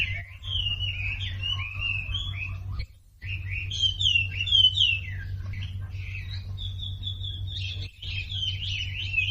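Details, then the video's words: Sumatran leafbird song, played as a lure to make silent birds join in: rapid twittering whistles and slurred notes in bursts, broken by two short pauses, over a constant low background hum. "SUARA MASTERAN WAMBI UNTUK YANG DIAM IKUT KICAU"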